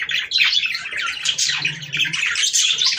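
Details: Budgerigar breeding-stimulation song: lively warbled chirps and short whistled notes over constant chatter from several birds, with a faint low hum underneath.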